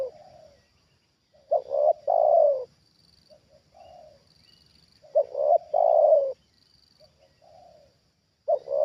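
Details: Spotted dove, a trained bird, reacting to a wild bird descending for the second time; rhythmic low cooing phrases of a clipped double note and a long sliding coo, separated by quiet soft murmured notes and short silences.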